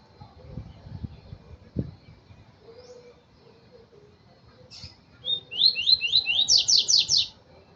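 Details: Double-collared seedeater: after faint thumps and a couple of short isolated notes, a fast, loud phrase of about ten sweeping whistled notes that rise higher toward the end.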